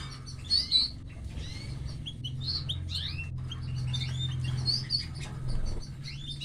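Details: Canary chicks being fed by their mother, giving thin, high chirps in short clusters, loudest near the start and again around the middle and end, over a steady low hum.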